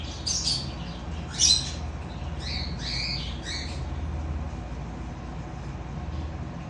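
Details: Cockatiel squawks while mating, given in short raspy bursts, one sharp note near the start, then a few scratchy broken calls before quiet, with constant low background rumble.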